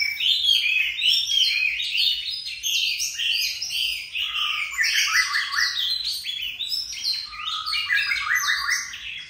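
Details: Oriental magpie-robin singing a long unbroken strophe, a rich continuous stream of varied whistled and warbled phrases jumping in pitch, sustained for over nine seconds without pause.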